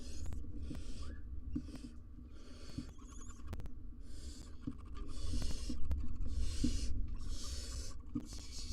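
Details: Wild barn owl family, both parents and three nestlings, inside a nest box on a live cam: long, breathy hissing bursts repeat about once a second, with soft knocks and scratching in the box.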